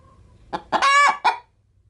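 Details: Pet hen readying to lay an egg in a chicken-food sack, making a funny noise when approached: a cluck, then a drawn-out harsh tonal squawk and one final cluck, with faint low background rumble.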